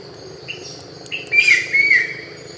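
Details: Brown-winged Kingfisher, a protected species in Thailand living only in fairly intact mangrove forest on the Andaman coast: a few soft notes, then loud whistled, slightly falling notes mixed with a harsh burst, over a steady high background hum.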